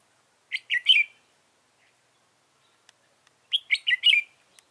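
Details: Red-whiskered bulbul, a trapping decoy from Dong Nai, Vietnam, November 2017: two identical short phrases of three or four clear, bright warbled notes about three seconds apart.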